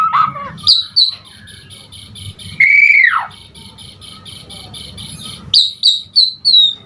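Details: Asian pied starling in full, lively song packed with fill notes: a harsh falling note, rapid runs of repeated chipping notes, then a loud long slurred whistle rising and dropping, followed by more quick descending chatter.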